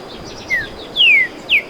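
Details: Song of a streaked saltator: three short, clear whistles, each sliding downward, spaced across under two seconds, the middle one longest and loudest, against quiet background hiss.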